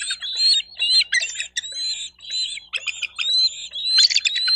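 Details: At a bald eagle nest in Miami-Dade County, Florida, 28 May 2023, 11:34: loud, continuous, high squealing and squawking calls, dense and uneven, with brief gaps between rough bursts.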